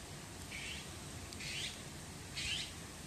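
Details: Wild young crow begging while a parent teaches it how to find food, recorded 8 June 2018: three hoarse, breathy calls about a second apart over steady background hiss.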